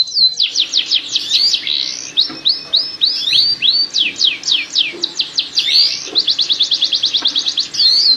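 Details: Breeding canary song meant to stimulate pairing: continuous high rolling phrases of swept whistled notes, shifting tempo between quick trills and slower upswept chirps, with a low steady hum underneath.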